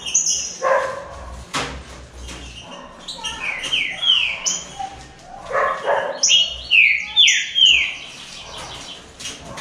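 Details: Caged green-winged saltators, three birds competing in song, deliver a run of rapid descending whistles in the second half; barking and voices are heard earlier in the recording.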